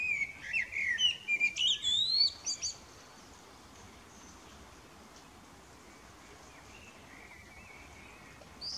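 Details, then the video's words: Common blackbird, a male, giving evening song beneath the moon: one rich fluted phrase rising into scratchy high twitters during the first three seconds, then near silence with a faint distant warble. "The Blackbird evening serenades the Moon - Solsorten synger sin aften serenade for månen."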